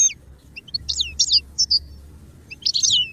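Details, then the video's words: Goldfinch singing for song training: sparse sharp chirps and short twittering phrases with slight background hiss. "Birdsong sound effect beyond support and inspiration goldfinch"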